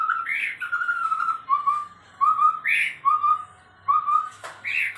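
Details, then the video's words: Chestnut-rumped babbler, kept as a tutor bird and said sometimes to sound like a white-rumped shama, gives clear, mid-pitched whistled phrases, some falling, mixed with rougher squawky notes, about once a second with brief pauses. "Tepus Tunggir Merah kadang bisa seperti Murai batu"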